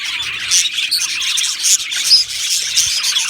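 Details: Australian budgerigars in an aviary colony singing and chirping: a dense, nonstop chorus of high, scratchy warbles and quick chirps, with many birds calling over each other and no pauses.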